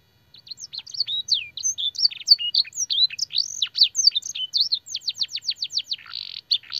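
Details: Canary in full master song, featuring blackthroat and sanger phrases for training other canaries. Varied whistled slurs build into a fast series of repeated descending notes, ending in a harsh buzzy burst.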